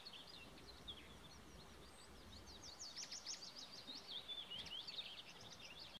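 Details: Tree pipit singing at Lauwersmeer, Netherlands, May 2017: high, rapid series of repeated chipping and trilled notes, each phrase changing pace, over a low rumble of wind.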